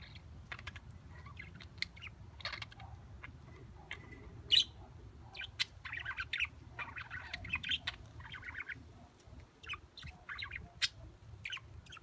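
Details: Exhibition (English) budgerigars, preening, give quick, scratchy chirps and warbles in short, irregular bursts.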